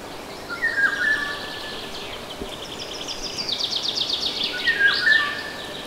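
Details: Golden oriole song recorded in the Nagyerdő woods at Debrecen: fluty whistled phrases open and close the passage. Between them another small bird sings a rapid, high, rattling trill, over steady forest ambience.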